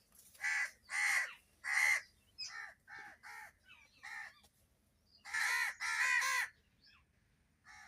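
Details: Crow making loud noises alongside other birds: harsh, raspy caws in uneven runs of two to three, a pause, then a louder cluster of three caws, with faint chirps of other birds between.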